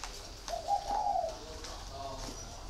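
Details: Caged spotted dove giving a soft, low, slightly wavering coo that swells and fades over about a second, followed by fainter cooing notes, with people talking quietly in the background.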